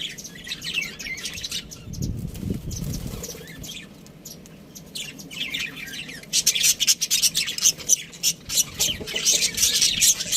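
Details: Budgerigar chatter: scattered high chirps early, a quieter stretch with soft low knocking, then a rapid, dense burst of shrill chirping through the final seconds.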